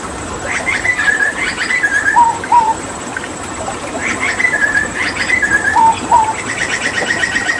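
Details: Papuan hooded butcherbird, kept for water therapy. Bursts of quick chattering notes alternate with pairs of low, pure whistles, repeated in two similar phrases.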